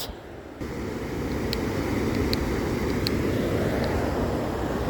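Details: Steady, loud roaring rush of a waterfall fills the recording, with a few faint clicks and no animal voice.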